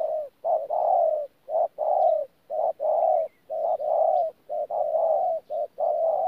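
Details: Spotted dove kept as a caged decoy in Tumorong, 14 January 2019, delivering thổ coos blended with gù: short clipped notes alternate with longer smooth hollow coos in a fast, steady series, roughly one per second, with no other sounds.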